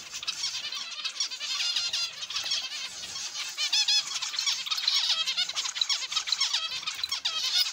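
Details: Caged zebra finches in an aviary: thick overlapping chorus of nasal, trumpet-like short calls with layered harmonics, steady and busy.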